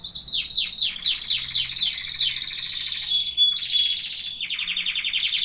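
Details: Canary singing loudly. Quick repeated downward-sweeping notes, several per second, lead into steady rattling trills at changing pitches, with a thin high whistle threaded through the middle.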